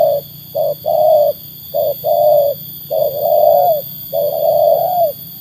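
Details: Low resonant coos from a trained spotted dove tested against wild birds, short opening notes leading into longer sustained ones, the later notes stretching out, amid soft steady hum.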